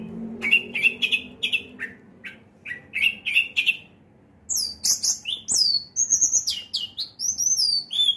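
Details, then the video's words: Caged orange-headed thrush singing in teler style: a fast run of short chirpy notes, then bright high whistled phrases with sharp upward and downward sweeps, delivered in quick bursts with brief pauses between. "Anis Merah Maha Prabu teler beda di rumah dan di lapangan"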